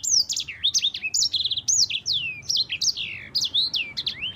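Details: Yellow-fronted canary, a champion sanger, sings a clear, continuous rolling phrase of sharp high whistles, quick down-sweeping slurs and brief trilled bursts, roughly one note-group per second, as a tutor recording for other birds.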